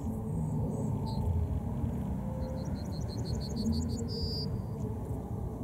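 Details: Yellowhammer (Emberiza citrinella) singing: an isolated high note, then a rapid run of about ten short repeated notes ending in a sustained, slightly higher closing note, over strong low background rumble.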